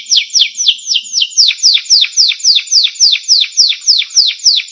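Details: Singing canary recorded as tutor material for songbirds: a regular chain of clear, down-slurred whistled notes, about three and a half each second, crisp and loud.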